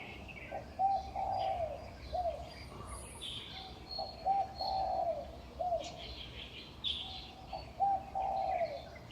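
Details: Birds on utility poles at dawn, about 5:25 am, in Huanan New Village near National Chengchi University, Taipei, Taiwan, May 2019: soft low cooing phrases repeat every second or two, with thin high chirps and twitters above.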